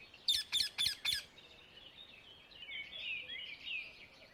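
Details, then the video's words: Indian ringneck parakeet in the wild: four sharp, high screeching calls in rapid succession, then softer, wavering chattering notes fading out against quiet outdoor background. "صوت الببغاء الدرة في الطبيعة"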